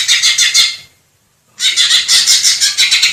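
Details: Greater green leafbird song recorded in the wild in Indonesia: dense, buzzy, rasping bursts of rapid notes, high-pitched and roughly rhythmic, broken by a brief silence before the bird resumes.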